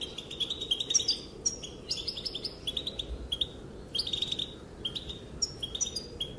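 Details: Female goldfinch calling, said to make males dance: clusters of fast metallic twitters and slurred chips, grouped in bursts about every second, over a low steady hiss.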